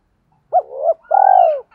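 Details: Spotted dove decoy calling to attract wild doves. One phrase is heard: a sharp upswept note sliding into a wavering middle part, then a long, steady, husky coo that falls at the end.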